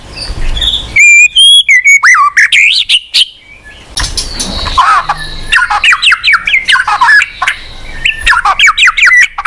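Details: Murai batu or white-rumped shama, singing a lure song for a silent bird: sharp high whistles after a quiet start, then a rapid series of rising and falling slurred notes repeated about three times a second.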